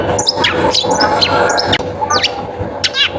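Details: Long-tailed shrike lure song intended to get other shrikes singing: short varied whistles and sharp downward slurs, ending in a fast trilled flourish, with a constant background hum and music beneath.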